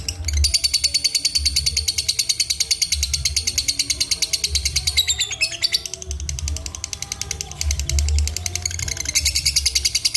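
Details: Lovebird, called a fighter, chattering in a rapid, very high buzzing trill of evenly pulsed notes, broken by a brief pause midway, over a thumping low music beat.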